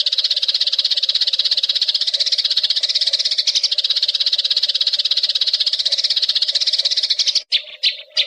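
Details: Steady, unbroken chatter of wild Eurasian tree sparrows, quick high chirps about three each second over a constant low drone, ending with a few louder isolated chirps.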